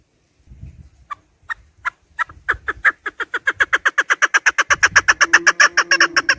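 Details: Accelerating clucks of a chukar partridge, recorded for hunting partridge: a few separate notes grow into a dense run of loud, repeated chuk notes, with soft low thumps in the background and a brief steady hum late on.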